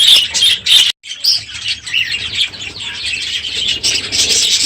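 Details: Many captive budgerigars in an aviary, noisy in the morning at the end of the breeding season: dense overlapping high chirps and warbles, with a brief silent break near the first second, then continuous chatter.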